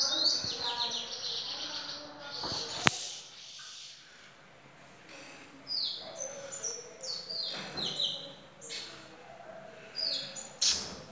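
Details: Lesser goldfinch kept at home as a master singer, singing in bursts of high twitters and whistled notes separated by short pauses, with a sharp click and low room noise.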